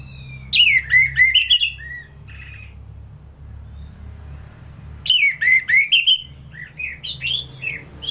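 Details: Orange-headed thrush singing ngeplong in Singaraja, Bali: a loud tumbling phrase of swooping whistles, a long quiet stretch, then another rich, varied phrase of slurred notes.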